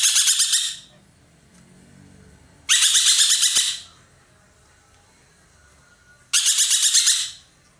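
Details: Dollarbird, known locally as ekek keling and valued as a loud tutor bird for songbirds, chattering actively in three grating, buzzy bursts. Each burst is made of rapid pulses and is separated by pauses of about two seconds.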